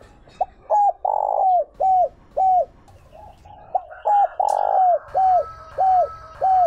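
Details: Spotted dove kept as a decoy bird to lure wild doves, giving a run of short mellow hooked coos, each slurring up then down, repeated roughly every half second, with a brief fuller note midway and faint room noise.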